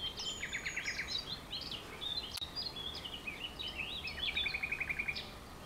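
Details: Spring birdsong on 30 April 2011 from a grove behind an ecological garden in Romania: bright whistled notes and quick rattling trills repeated at the start and end, several birds overlapping, one sharp click midway.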